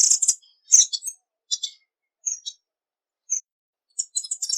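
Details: High-pitched tanager twittering: scattered clusters of bright chips and short trills, separated by brief silences and ending in a dense flurry of notes.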